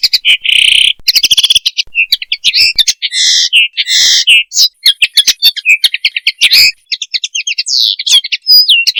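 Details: Common linnet (Linaria cannabina), song: courtship.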